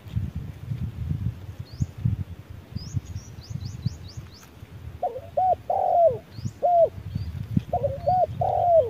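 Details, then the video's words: Spotted dove calling during a midday challenge between a decoy and a wild bird: after a quiet start, paired short coos and longer falling notes come twice, over thin high chirping from another small bird. "MỒI MÁY DẬP ĐẤU BỔI GIỮA TRƯA NẮNG GẮT BỔI HÁ CẢ MỎ"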